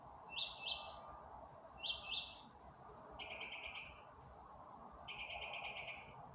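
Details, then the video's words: Dark-of-night singing by birds on May 27, 2025: paired high chirps twice, then two longer, buzzier trilled notes spaced about two seconds apart, against a soft steady hum. "in the dark of night the birds are singing"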